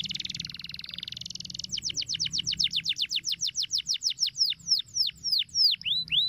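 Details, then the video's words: Canary singing as a model for young canaries: a dense, fast buzzing trill, then sharp descending chirps that gradually slow and spread apart into separate downslurred notes. "Cuitan Kenari Untuk Pancing Bunyi Kenari Muda Agar Cepat Gacor"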